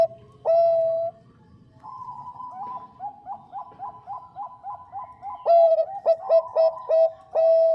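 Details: Zebra dove, Bangkok variety, with a female calling the male. One strong, drawn-out coo leads into a rolling series of quieter, regular notes. A finale of loud, clean, repeated coos follows.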